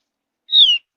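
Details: Soft lure chirp of a Javan grey-throated white-eye, a high mountain forest bird said to make other birds sing along; a single pure, high whistle, level then gently falling, lasting about a third of a second.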